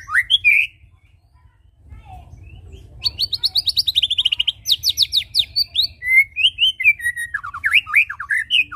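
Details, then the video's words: White-rumped shama song used to lure birds into singing: a short whistled phrase, a pause, then rapid buzzy repeated note trains and loud varied whistles rising and falling, over a low steady hum. "Ampuh Pancing bunyi burung Murai batu suka ngetem"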